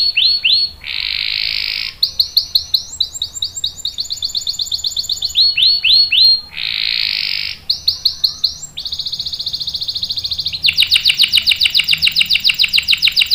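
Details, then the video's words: Canary delivering long rolling song for prompting and tutoring young birds: buzzy sustained rolls alternate with quick series of downslurred notes, ending in a fast, even, high trill. "KENARI GACOR NGEROL panjang bagus untuk PANCINGAN dan MASTERAN paud | CANARY SINGING"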